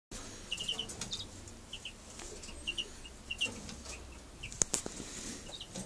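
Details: Soft, short piping notes from a male Siberian bullfinch outside its nest, given singly or in quick pairs at irregular intervals, over a steady hiss with a few rustles and clicks.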